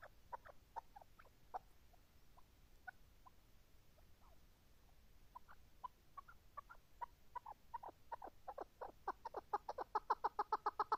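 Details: Scattered chukar partridge clucks build into a fast, regular burst of chuck notes that grows louder toward the end, over low background noise.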